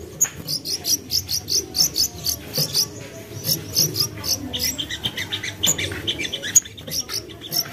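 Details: Common iora, young bird, sung to lure others: steady string of high chirping notes about twice a second, shifting midway to lower twittering phrases, with background hiss.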